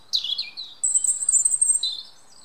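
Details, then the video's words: European robin in woodland giving a brief high phrase: a falling warble followed by a long, very thin sustained whistle and a final short twittered note. "Robin redbreast singing in woodland"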